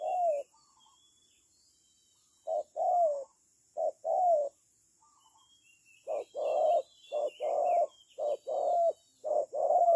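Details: Low coos from a spotted dove used as a trapping decoy, starting sparse and becoming a dense run of paired notes, with faint high twittering from other birds.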